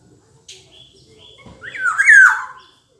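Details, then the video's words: Black-naped oriole singing: after soft faint notes, a loud liquid whistled phrase swoops upward and then slides down, lasting about a second, with quiet background noise. "Burung Kepodang"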